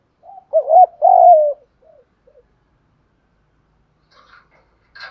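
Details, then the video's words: Spotted dove decoy call used to lure wild doves: a single low coo phrase, a short lead note followed by two fuller, slightly descending hoots, then near silence with faint scratchy sounds at the end. "tiếng chim cu gáy kích bổi nhanh nổi rất hiệu quả/ tiếng chim cu gáy mồi gáy giọng hay nhất"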